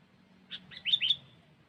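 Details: Kutilang, the sooty-headed bulbul, sings a short cengkeram-style phrase for luring: a soft chirp, then two quick bright slurred whistles, with a low faint hum underneath.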